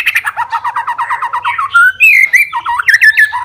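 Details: White-rumped shama fighter singing to provoke other shamas: quick series of evenly repeated bouncing notes, then a pure clear whistle and a run of swooping, looping whistled phrases.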